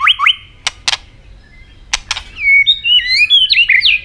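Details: Robin song from Asia: two quick rising whistled notes, sharp clicks, then a string of varied high warbled and slurred whistles near the end.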